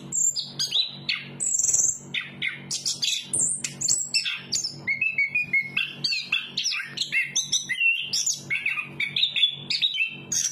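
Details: Over ten seconds, a chestnut-capped thrush (anis kembang) pours out an unbroken run of varied whistles, chirps and quick slurred phrases, some very high, others dipping lower, over a faint hum.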